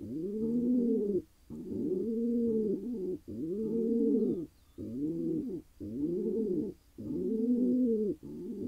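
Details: Wild male pigeon in Israel, freshly mated, utters a steady series of seven low arched coos, each about a second long and spaced by short gaps, over a faint high hum.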